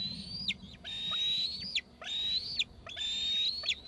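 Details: Two eaglets in Gregg's tree screep together, giving shrill level whistles that each end in a sharp fall, three to four calls in a few seconds.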